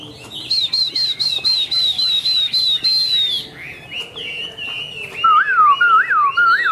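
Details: A white-winged, white-tailed Chinese hwamei singing high: a long fluttering whistled trill held at a steady pitch, shifting into lower looping warbled phrases repeated in quick succession, with little background noise.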